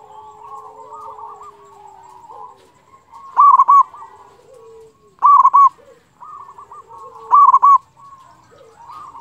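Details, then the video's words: ['Zebra dove, local, singing as a lure to start others singing: soft rolling coos from several doves at first, then three loud clipped coo phrases about two seconds apart.'] "pancingan perkutut lokal gacor suara ampuh bikin lawan cepat bunyi"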